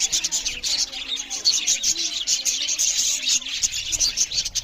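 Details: Loud chirping from budgerigars eating: steady, crowded high-pitched twitters and short warbled notes from a group, continuous throughout.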